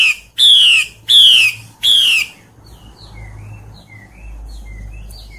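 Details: Female hwamei calling in the wild forest in breeding season to draw in males: three loud, rasping, downslurred notes about 0.7 seconds apart, followed by soft whistled notes from another bird over a low background hum.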